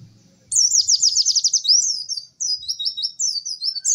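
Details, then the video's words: White-eye delivering a 'cek cek werr' song: after half a second of quiet, a long rapid high trill, then sharp repeated chirps and short buzzy notes. "MASTERAN PLECI TERBARU PALING AMPUH CEK CEK WERR....."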